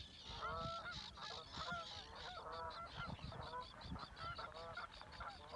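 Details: Migrating Canada geese leaving southward over water at Reveln, Alnö, Sweden, 7 August 2022. Steady series of overlapping two-note honks from the flock, evenly spread across the recording, over faint low rumble.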